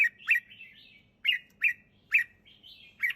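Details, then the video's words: Clear, relaxed singing of a red-whiskered bulbul: sharp chirped notes joined by soft warbling slurs, repeating in short phrases about every second, over a faint background hum. "เสียงนกกรงหัวจุก ร้องสบายๆ เสียงชัด"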